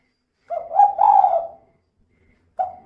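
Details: Female spotted dove giving its kuk-2 call as a lure for other birds: a rough, rising-then-sustained cooing phrase, then a short pause before the next phrase begins.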